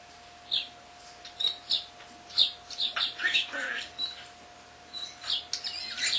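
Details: Young pet common starling chirping indoors while mimicking its owner's lovebirds and cockatiels and other sounds: many short, thin high chirps and clicks, irregularly spaced, with a slightly longer warbled phrase midway.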